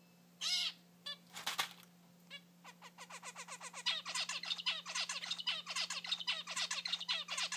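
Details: Three zebra finch chicks about three weeks old, just out of the nest and flying, give rapid, nasal, buzzy chirps over a steady low hum; Zebra finch.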